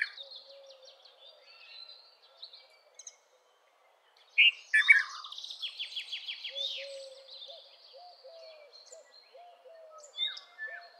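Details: Red-vented bulbul with a short burst of bright, gurgling notes midway, followed by a fast, buzzy trill from another bird. Soft low whistles and scattered chirps run throughout, with a brief near-silence before the phrase.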